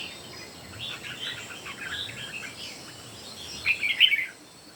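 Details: Competing song of three red-whiskered bulbuls: soft jumbled warbling at first, ending in a loud, ringing burst of rapid whistled notes, over a low constant hiss.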